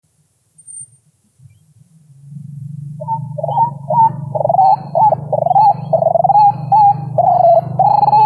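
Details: Guitar and synthesizer music that starts softly, then swells into a steady, loud plucked melody over a deep bass line, with no animal voice.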